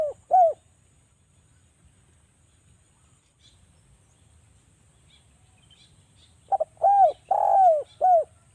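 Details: Javanese spotted dove cooing, played as a lure so doves respond. The end of one phrase opens the clip, then after a long silence a full phrase of quick double notes, arched coos and a long coo.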